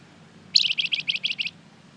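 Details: Energetic flamboyan singing, a recording meant to prompt other birds to respond: one tight burst of roughly eight bright, high, evenly spaced chirping notes lasting about a second, with a faint low hum beneath.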